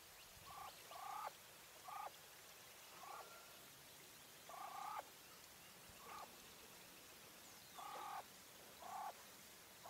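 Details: Female English White common quail gives short, nasal, mid-pitched calls, some single and some doubled, every one to two seconds over a steady background hiss.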